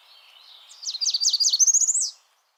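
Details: An American Redstart, a Washington warbler of dense waterside trees and shrubs, sings a three-part phrase of very high, thin notes ending in a short, buzzy, slightly rising trill, all over in about one and a half seconds.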